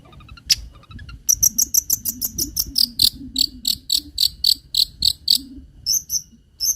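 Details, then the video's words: Long-tailed shrike lure recording, clear and loud, used to train other songbirds. Evenly spaced, piercing high chip notes, roughly three per second, after a few scattered opening notes. Soft low background hum. "PANCINGAN CENDET FULL MATERI ISIAN SUARA JERNIH DAN NYARING"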